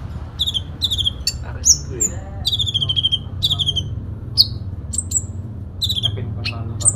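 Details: Sooty-headed bulbul in full fighting song packed with fill notes: rapid bursts of high, buzzy chattering notes and sharp whistled slurs, some rising and some falling, in quick succession over a low steady hum.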